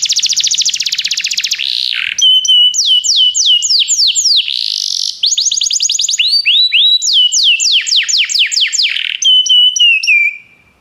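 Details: Belgian canary song mixing a fast buzzy roll, clipped upward and downward whistles, steady trilled tours and a drawn-out falling note, loud and continuous before ending abruptly.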